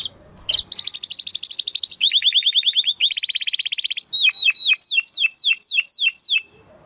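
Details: Crystal-voiced domestic canary, a training recording for contest birds: a high, fast rolling trill, then two lower even rattling rolls, ending with loud, evenly spaced down-slurred whistles about three per second.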